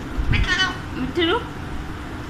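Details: Pet Alexandrine parakeet talking: two short voiced, speech-like utterances, the second gliding upward in rich harmonic bands, over a low background rumble.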